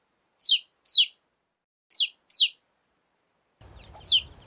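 Chicken chicks peeping in high, sharply falling notes, often given in quick pairs.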